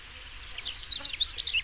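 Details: European stonechat giving a brief scratchy warble, a quick sequence of high, jumbled twittering notes growing louder toward its end, with soft background hiss.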